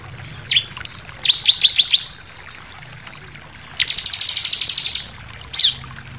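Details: Sunda pied fantail singing a varied 'nembak' song for training captive birds: a single sharp note, a short run of chirps, then a fast buzzy trill and a final sharp note.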